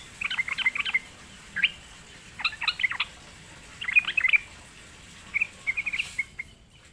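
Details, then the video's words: Sooty-headed bulbul, said to sing reluctantly, lured into song: several short clusters of lively chirping notes separated by brief pauses. "sekali di pancing trucukan malas bunyi pasti Nyaut gacor"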